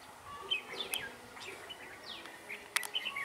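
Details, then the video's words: Red-whiskered bulbul used as a decoy during bird trapping, 4 December 2016, its voice called bell-like and quick. Short clear whistled notes and quick rising sweeps, with a couple of sharp clicks, set against quiet background. "Bẫy chào mào giọng chuông mau mỏ"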